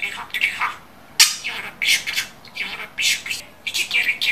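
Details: Talking pet budgerigar gives scratchy, chattering syllables with bright high overtones, in about six separate bursts over a few seconds, against a quiet background.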